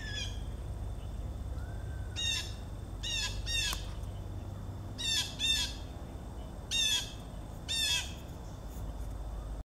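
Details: Blue jays calling in the background, 4 September 2014: repeated harsh squawks, often in quick pairs, six bursts in about ten seconds, with a faint low hum throughout.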